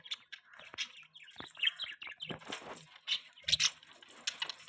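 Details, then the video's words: Mating budgerigars give busy, continuous chirping: quick high twittering notes and chattering bursts follow one another with hardly a pause. "Beautiful budgies chirping sounds | Budgie chirping sound | budgies mating"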